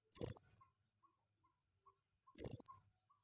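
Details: Two sharp, high-pitched chirps about two seconds apart from a female blue-crowned hanging parrot used to lure other birds; silence in between.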